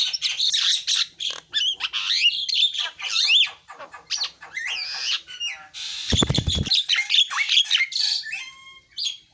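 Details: Javan myna singing, a varied run of harsh squawks, rising and falling whistles and chattering notes, with a short loud broadband burst of noise about two-thirds through.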